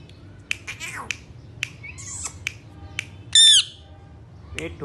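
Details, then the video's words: Indian ringneck parakeets, three birds indoors: soft clicks and light chirps, then one loud, harsh, drawn-out squawk near the middle, followed by a further short call. "Three parrots amazing talking video"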